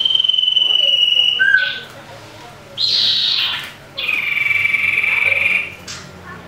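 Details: Common iora fighting, used as a lure sound to provoke other ioras: a long steady whistle, a short lower note, then two more sustained whistles, the last held nearly two seconds.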